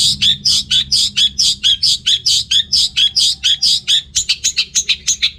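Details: Caged orange-headed thrush in North Bali, sound used to rouse males lacking breeding drive: a long string of harsh scratchy notes about twice a second, speeding into a quicker rattle near the end.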